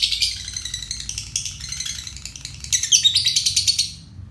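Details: Short burst of lovebird ngekek konslet song from a fighter bird kept as a lure for songbirds: uneven, rapid high chattering notes rising in intensity, then fading out near the end.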